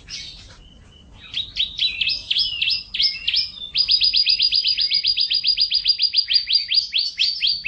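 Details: Canary in 2014 singing a long, tight roll song: a short whistled note and a brief pause, then accelerating chirps that settle into a very fast, even trill of sharp notes.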